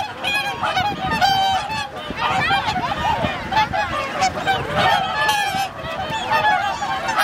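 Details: Large wintering swan flock at Lake Hyoko, Agano City, Japan, 8 January 2022; a steady din of many honking calls overlapping, with occasional human voices mixed in.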